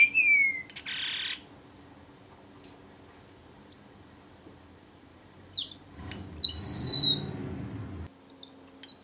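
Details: Strawberry finch giving high sliding whistles, a short hissing burst, one sharp note, then a rising-and-falling run of thin whistles over a low rumbling background noise.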